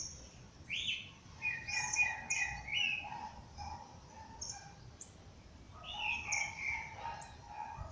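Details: Several birds singing at dawn in nature: rising high whistles, a buzzy warbled phrase near the start and again after six seconds, over a steady lower chattering layer, with sharp thin chips and faint background hiss.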